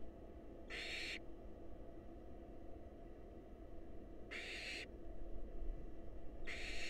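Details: Breathy, harsh hisses from wild barn owls in a monitored nest box while a nestling is fed a mouse delivered by the male: three bursts with long gaps, low humming background.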